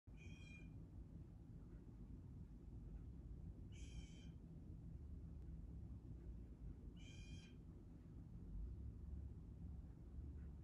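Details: Blue jay at a backyard bird feeder in northwest Calgary, Alberta, on 24 February 2022 at 1:23 pm; three harsh, buzzy, harmonic calls, each about half a second long and spaced roughly three seconds apart, over a steady low rumble.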